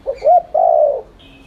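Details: Single phrase from a spotted dove cooing in the fast 'thúc' style used to provoke other doves: a short low note, a rising-falling hoot, then a long steady mellow coo, followed by a faint high chirp.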